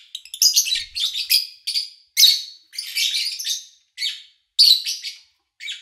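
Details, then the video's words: Lovebirds chirping, recorded in early August 2019 away from most engine and human noise: clustered shrill, scratchy chirps, with longer phrases alternating with short single calls. "Sounds of Lovebird Chirping"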